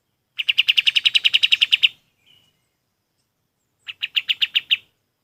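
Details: Golden-bellied gerygone song used for training other birds: a fast trill of about fifteen evenly spaced high whistled notes, a pause, then a shorter burst of about seven similar notes.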